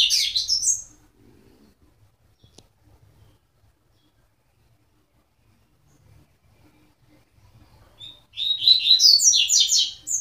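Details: Coleiro (double-collared seedeater) singing in two bursts of fast, high, jumbled twittering notes, one at the start and one near the end, separated by a long near-silent pause with a faint low hum.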